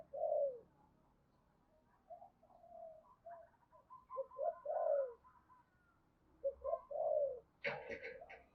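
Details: Lure call of a decoy spotted dove meant to attract other doves: mellow hooting coos, each note sliding downward, grouped in short phrases; a sharp rattling noise near the end.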